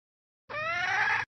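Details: Red junglefowl hen from Vietnam calling to stimulate males: one drawn-out, nasal, harmonic note that rises slightly and holds steady for under a second, then stops abruptly. No other sounds.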